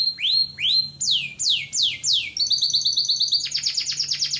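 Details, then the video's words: Male local-breed domestic canary singing a flawless song meant to teach young canaries: rising whistled notes, then loud downward-sweeping whistles about twice a second, moving into a fast, even trill and a buzzier rapid roll near the end. "تغريدة ذكر كناري بلدي نار 🔥 بدون أخطاء لتحفيظ صغار الكناري على التغريد"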